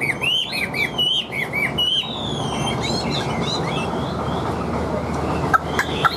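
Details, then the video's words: Chinese hwamei praised for nonstop, even singing: a burst of quick looping whistles in the first two seconds, then softer, thinner phrases trailing off with a background drone. "Họa Mi Hót Như Máy, Điện Đóm Căng Ra Giọng Đều"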